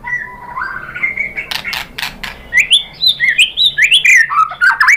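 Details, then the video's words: Lure song of a White-rumped shama, or murai batu, used to make other shamas sing back: rising whistles open the phrase, a few clicks follow, then a quick string of varied bright looping notes. "pancingan jitu !!! bikin MURAI BATU NYAUT BONGKAR MATERI TEMBAKAN"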